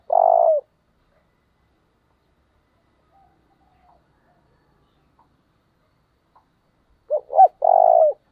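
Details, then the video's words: Wild dove cooing as a decoy to lure birds: one short hoarse coo, then several seconds of silence, then two brief rising notes and another steady buzzy coo. "Tiếng cu rừng gáy kích bổi hiệu quả"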